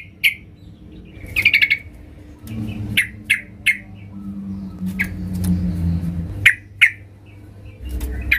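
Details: Female yellow-vented bulbul calling the male, used as a lure to make other bulbuls sing; short bright chirps repeated irregularly, with a brief chattering burst near the start, over a low steady hum.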